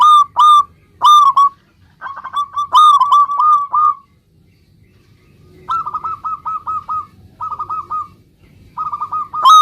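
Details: Zebra dove, a local bird singing 'gacor' style to draw answers from other zebra doves: repeated groups of fast, soft, rolling coo notes, some phrases loud and ringing, others fainter, with short pauses between bursts.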